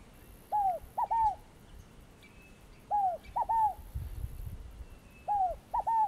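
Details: Scaled dove, called fogo-apagou in Brazil, giving three three-note phrases about two and a half seconds apart. Each phrase has a mellow falling coo, then two quick clipped falling notes. Soft low rumble underneath.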